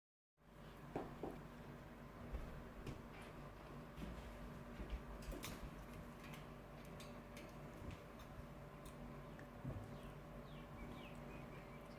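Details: Indoor room sounds only: clicks, taps and a low steady hum, with no animal voice. Scattered knocks and a faint tick run through the whole stretch.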